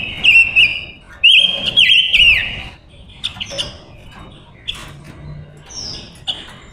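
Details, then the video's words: Silver-eared mesia, a female decoy bird luring wild males, opening with loud ringing whistles and a long warbled phrase, then quieter scattered chirps and a thin high note near the end. "Ngũ sắc hót mồi gọi bổi"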